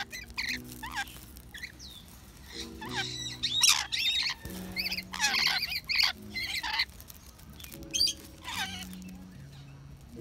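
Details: Rainbow lorikeet imitating a robot and saying hello in Chinese: irregular squawky, speech-like bursts with quick pitch bends, over steady low tones of background music.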